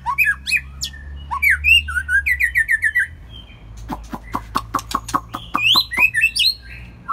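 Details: White-rumped shama, a first-molt bird, in evening song: rich rising and falling whistles, then a rapid series of sharp clicks, then more fluting whistled notes.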